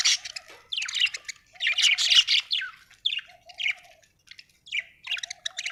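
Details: Happy budgie chirping: busy warbling chatter of squeaky chirps and scratchy notes in irregular bursts, with a low soft rattling note repeated beneath.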